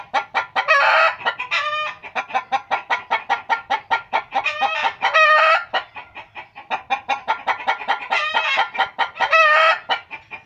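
A rooster clucks in quick, steady bursts of short, harsh notes, about four per second, with louder rasping stretches now and then.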